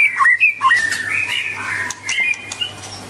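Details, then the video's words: White-rumped shama (murai batu) giving a melodious song: clear whistled notes between mid and high pitch, quick slurred phrases with sharp downward drops, varied and fast, over a steady low hum. "Kicauan Merdu Burung Murai Batu"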